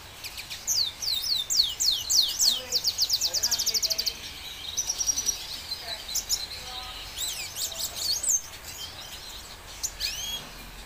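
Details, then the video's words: Red siskin sings a rapid, high twittering song of quick chirps and fast repeated notes, broken by a thin buzzy trill, over faint background hiss. "Red Siskin singing"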